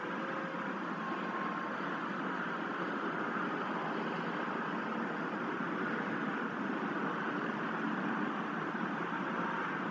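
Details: Steady broadband hiss and rumble, like wind or engine noise, runs throughout with no animal calls.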